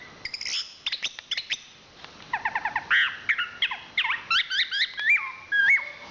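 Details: National champion chestnut-capped thrush (Zoothera interpres) singing soft ticking notes, then a fast series of repeated chirps and rising whistles, ending with a clear, drawn-out whistled phrase.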